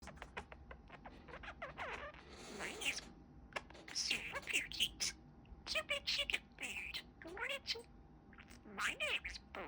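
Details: Male pet budgerigar that has learned new phrases, talking in a high, raspy, rapid voice with word-like rising and falling syllables and brief pauses, over a quiet indoor background.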